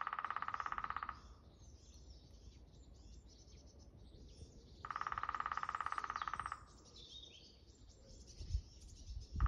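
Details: Lesser spotted woodpecker recorded at Dalby, Sweden, on April 19, 2022: two long, even rolls of rapid knocks, each lasting over a second and separated by about four seconds of quiet, with faint high chirps of other birds in the background.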